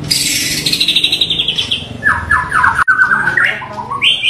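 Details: Local Bahorok white-rumped shama from Indonesia in song. A quick run of high, descending chirps gives way to a string of lower, evenly repeated whistled notes. The phrase ends with a sharp rising whistle.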